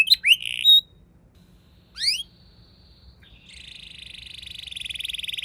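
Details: Canary singing as a lure for other canaries: a few sharp upswept chirps, a pause, then a thin steady whistle that turns into a fine, fast, rising buzzy trill.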